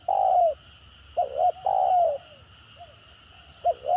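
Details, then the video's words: Stammering (gagap) coos of a trapped spotted dove: a long descending note, a phrase of clipped double coos into a drawn-out coo, a faint short coo, then a new phrase starting, over a steady high whine. "Mendengar Suara Tekukur Gagap Ini Burung Lain Pasti Responnya Gacor"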